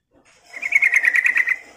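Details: Sooty-headed bulbul calling to draw in other birds, giving a single loud, fast, rasping chatter of evenly spaced buzzy notes that fades out at the end.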